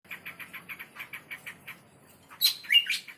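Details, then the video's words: Bar-winged prinia singing: a fast run of short, high chirps at an even pitch, about a dozen in a row, followed by a louder, sharper burst of notes at the end. "suara burung prenjak super gacor"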